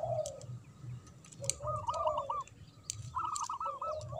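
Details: Local zebra dove with a big voice singing in the manggung and ngayer style, used to provoke silent doves. Soft low coos, then bursts of rapid arched notes repeated twice over a low hum and faint background noise.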